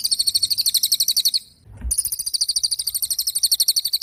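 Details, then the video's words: Pied fantail singing steadily: a rapid, high, rattling trill of repeated sharp notes. A short pause midway is broken by a brief low thump before the trill resumes. "SUWARA BURUNG CILILIN GACOR"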